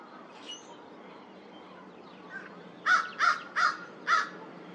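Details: American crow at Twin Lakes on April 8th, 2023, said to be trying to sound like fish crows: after a quiet stretch of low background rumble, four loud, harsh, rasping caws come in quick succession, each about a third of a second apart.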